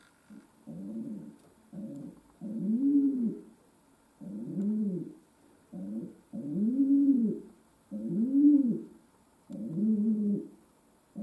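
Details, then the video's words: Steady string of low rolling coos from an indoor pet domestic pigeon, short and long phrases alternating about every second, each swelling and dying away, over a quiet electrical hum. "My Pigeon Pearl Gave A Concert"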